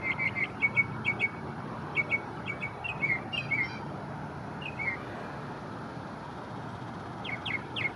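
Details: Northern mockingbird in Memorial Park, Houston, Texas, singing from a small cedar elm just after chasing away a flock of American crows; varied short whistled chirps and slurred notes in irregular bursts, with pauses, against a constant low background roar.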